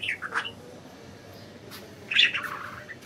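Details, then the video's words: Free-flying budgies make two bursts of chattering, warbled chirps, short squeaky notes at the start and a longer descending twitter after a quiet pause. "Budgies Enjoying Freedom and Chirping"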